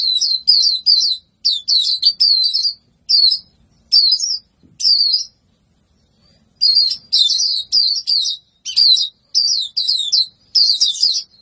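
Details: Energetic white-eye song: strings of fast, high chirpy warbles repeated in rapid succession, a pause of about two seconds midway, then dense twittering resumes.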